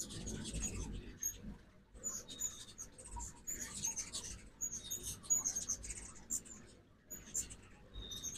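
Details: Busy feeder of fall-migrating ruby-throated hummingbirds, Oxford, Mississippi, in the morning: continual high thin chips and squeaks from several birds, broken by two short quiet gaps, over low background rumble.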